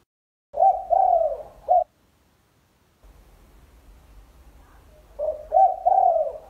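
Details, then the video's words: Spotted dove, recorded for bird training and luring. A deep three-note coo phrase with a long middle note, then over a second of near silence, then a matching phrase repeats. "Tiếng chim cu gáy xanh dùng để luyện Chim / kích bổi mau nổi"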